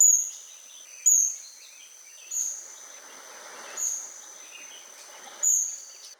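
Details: Black-backed kingfisher, the tiny oriental dwarf kingfisher, in Kaeng Krachan, Phetchaburi, Thailand, in 2025; five sharp, piercing high notes at uneven intervals of one to one and a half seconds against a constant thin buzzing tone.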